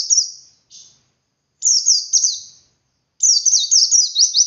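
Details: Wild white-eye singing in the 'ngalas' style, a 'wit wit' variation used to prompt untrained captive white-eyes to sing: high, thin bursts of rapid slurred notes, each downward-sweeping, in three phrases separated by short silences.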